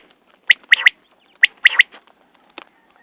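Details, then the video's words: Quail calling twice: a single sharp note followed by a quick double note blended into a rasp, the pattern repeated after about a second, then fading out. "Batair Ki Awaz New Quail sounds 2019"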